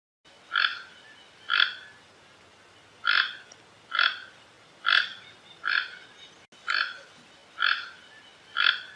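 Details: Toucan calling with harsh, nasal croaks, each short and raspy, repeated about once a second in a steady series of nine notes against a quiet background.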